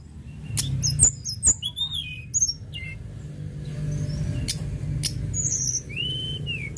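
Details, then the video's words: Sunda robin in active song: a quick burst of high, slurred whistled notes in the first three seconds, then a long, level whistle near the end, with sharp clicks and low rumbling behind. "TLEDEKAN GUNUNG GACOR"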